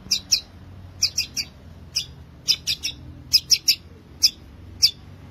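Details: Long-tailed shrike in lively song meant to stimulate quiet shrikes into singing: crisp, high, clipped chirps in clusters of two or three, roughly fourteen notes spaced by short gaps.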